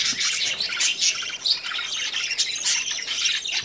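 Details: Budgerigars kept for breeding at the start of summer: dense, continuous chirping and squawky chatter from several birds at once, high and scratchy, with louder bursts near one and a half and two and a half seconds.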